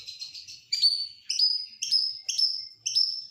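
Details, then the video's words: Oriental magpie-robin of the 'nasional' type singing a song packed with imitations of lovebird, canary and prinia: a brief warbled trill, then six thin high whistles, each starting with a quick upward sweep and holding steady, about every half second, in a quiet background. "Masteran burung KACER FULL ISIAN | Kacer Nasional isian lovebird kenari prenjak"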